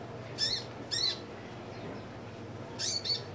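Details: Caged kolibri ninja sunbird giving a few high squeaky chirps in pairs with pauses between, over faint low hum.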